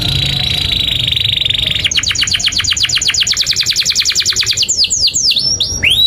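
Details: Long singing canary, recorded as a tutor for young canaries: a steady high buzzy tone, then a rapid rattling trill of clipped notes for nearly three seconds, ending in sweeping whistled slurs.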